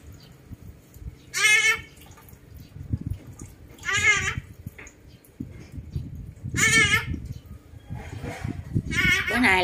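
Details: Rose-ringed parakeet at home mimicking a dog's bark to chase a dog into its pen: four harsh, barking yelps with rich harmonics, spaced about two to three seconds apart, over low room noise.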